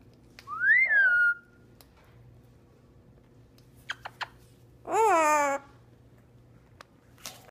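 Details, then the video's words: Red-crowned amazon parrot saying hello indoors: a clear rising then falling whistle, a few sharp clicks, then a harsh, rich-toned voiced call, and a brief burst of noise at the end. "Red Crowned Amazon Parrot Saying Hello"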